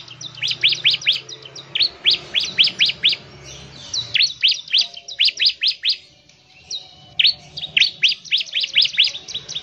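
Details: Fast, vigorous song of a bar-winged prinia, used to prompt other birds to sing, with rapid trains of high, sharply falling notes in three bursts split by short silences.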